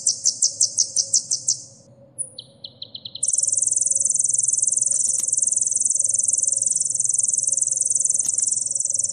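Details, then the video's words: Sunbird song used as a tutor recording for filler song, very high: a fast run of pulsed notes, a short lower trill, then a long, unbroken, buzzy high trill lasting several seconds, over a faint low hum. "suara isian burung kolibri"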